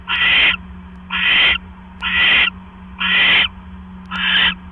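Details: Owl on a live nest camera, October 18, 2015 at 7:24 PM, as a mate brings a rat that the female swallows whole. Harsh, breathy hissing screeches, each about half a second, repeat roughly once per second, five in all, over a steady low electrical hum.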